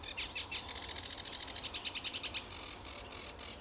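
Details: Early morning sedge warbler song, RSPB Fowlmere, July 2013: a fast burst of ticking, buzzy notes accelerating into a trill, followed by a few long, harsh rasping phrases.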